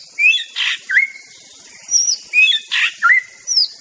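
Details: White-rumped shama singing in the wild: clear rising and falling whistled notes mixed with harsh raspy bursts, phrases repeated twice across a few seconds against a steady high hiss.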